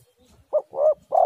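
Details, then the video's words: A single spotted dove phrase, played as a lure so other doves call back: a brief hoot, a fuller rounded coo, then a longer steady note, in a clean quiet setting. "tekukur super gacor suara ini paling di sukai semua burung"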